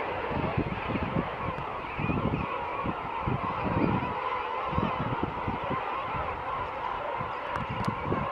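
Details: A royal penguin rookery of about half a million adults and downy juveniles at St Andrew's Bay, South Georgia, just after dawn: countless harsh, braying, honking calls overlap into a dense, unbroken roar with no gaps between voices.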